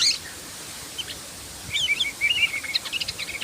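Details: Sooty-headed bulbul singing in lively, rapid form: short bubbly whistled phrases, rising and falling, against a steady hiss of outdoor background noise.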